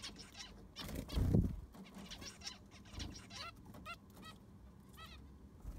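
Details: Zebra finches in an aviary undergoing cleaning with fresh sand: scattered nasal beeps, a few in short runs, partly covered early by a loud low thump and rustle from the cleaning.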